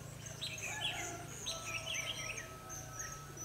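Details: Red-whiskered bulbul fighting song recorded during trapping with a lure bird on 21/12/2015: short warbled, slurred phrases in quick bursts, with a steady high insect whine and a low constant hum beneath.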